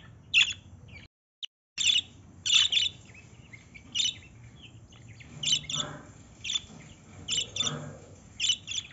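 Lovebirds give shrill, squeaky chirps in short bursts about every half second to one second, with sharp high notes over faint background hum.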